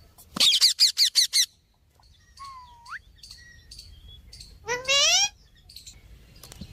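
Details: Pet parrot singing and talking: a burst of six rapid loud harsh notes, a rising whistle, then a loud descending squawk with rich harmonics, quieter chatter between.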